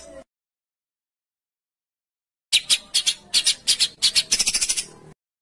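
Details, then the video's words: Songbird giving a harsh 'besetan kasar' sound, recorded as training material for caged birds kept at home and in contests; after a two-second silence comes a burst of rough, scratchy, buzzy high notes, quickening toward the end. "MASTERAN BESETAN KASAR|| Bringas Kasar suara BESETAN kasar Di cari juri"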